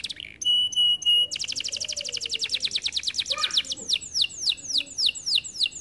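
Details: Canary song that opens with clipped repeated notes and runs into a rapid dense trill, then slows into a string of downward-slurred whistles, roughly three per second.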